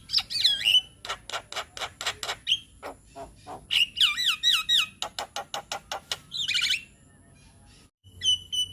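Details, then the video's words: Young Javan myna song used as a lure to get young birds singing: looping whistled notes mixed with rapid harsh clicks repeated about four per second, a pause near the end, a faint steady high tone throughout. "Suara Pancingan Burung Jalak Kebo Muda Biar Cepat GAcor"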